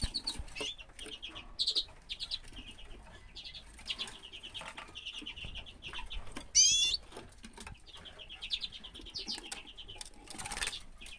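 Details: Common redpolls in 2016 giving rapid trains of short, dry chattering notes, clearly rising and falling in bursts. One loud rising squeal cuts in near the middle, with wing flaps and clicks scattered throughout.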